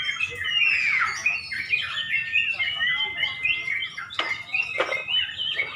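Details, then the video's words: Sooty-headed bulbuls (trucuk) at a bird song contest in Pemalang, shortly before dusk: overlapping bright, warbled phrases with rising and falling whistled notes. Two sharp downward-sweeping notes stand out near the end. "LOMBA BURUNG TRUCUK DI PEMALANG | menjelang magrib"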